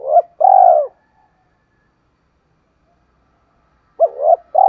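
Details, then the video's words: Spotted dove used as a decoy to call in wild birds in the morning, giving a low, mellow, falling coo, a long quiet pause, then a quick double coo and the start of another coo. "chim cu mồi gáy gọi bổi buổi sáng"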